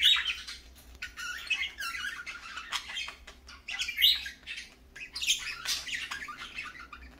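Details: Parakeets in the morning chatter with rapid, scratchy chirps and squawks, several bursts overlapping through the clip, with a low steady hum behind them.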